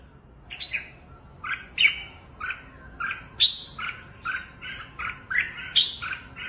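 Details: Red-whiskered bulbul in forceful, dominating song, hopping on its perch with wings spread: short bright phrases of two or three slurred whistled notes, repeated roughly every half second over quiet background.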